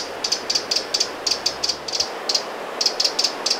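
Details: Alarm calls of a Eurasian wren at Lake Vänern in Sweden, late July 2017. Sharp high clicks come in pairs and short clusters, about sixteen in under four seconds, with faint low rumble early on.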